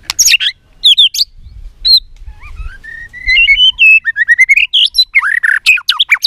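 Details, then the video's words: Caged White-rumped shama fighting song with varied whistles: sharp high notes, a climbing sequence of clear whistled notes, then a dense burst of loud varied phrases. "Luyện giọng chòe Lửa hót đấu"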